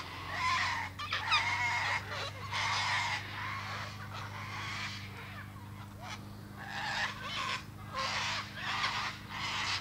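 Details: Cockatoo giving a run of harsh, raspy screeches in uneven bursts, some running together, with a steady low mechanical hum underneath throughout.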